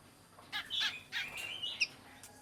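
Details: Black-crested bulbul singing, a recording meant to lure and call in birds: brief bursts of rich, liquid warbling notes, then a sliding whistled phrase ending in a sharp chip, against quiet background hiss.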